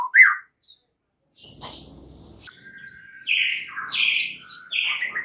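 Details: White-rumped shama song of a champion bird, used as a lure to provoke other shamas into singing: a loud chirp, a pause, then scattered whistled notes and rising and falling buzzy phrases, with faint low rumbling in the middle.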